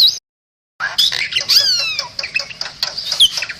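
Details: Bali myna song meant for tutoring other cage birds: a short gap, then rapid scratchy chatter mixed with high squeaks and several long descending whistled slides, loud and busy throughout.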